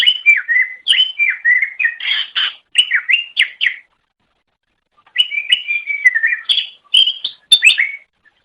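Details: Greater green leafbird master song used to train songbirds: two dense strings of loud, varied whistles and sharp chips, slurring up and down, split by a brief silent gap.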